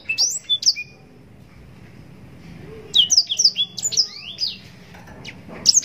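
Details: Yellow-rumped serin song recorded for mastering contest birds: a few bright whistled notes open, then a quiet gap of about two seconds before a fast tumbling phrase of high downward-sweeping whistles and chirps.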